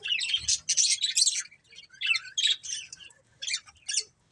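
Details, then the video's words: Budgerigar chirping in short harsh bursts of high, buzzy chatter, several quick phrases separated by brief silences. "Cute Budgies Chirping Sounds"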